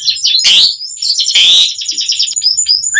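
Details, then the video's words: Asian pied starling song to prompt starlings to sing: two loud harsh rasping bursts among fast high chirping notes. "Suara Jalak Suren Gacor Langsung Ampuh bikin Bunyi buat Pancingan Burung Jalak Agar Gacor Full Isian"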